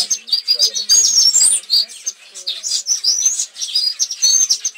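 Long-tailed paradise whydahs chatter in high, thin chips and squeaky whistles, overlapping in a busy run with hardly a pause. Faint low murmurs sit underneath.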